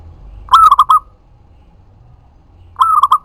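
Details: Loud, close zebra dove of local stock singing to lure other doves into answering: two phrases, each a drawn cooing note followed by rapid clipped notes, separated by about two seconds of quiet.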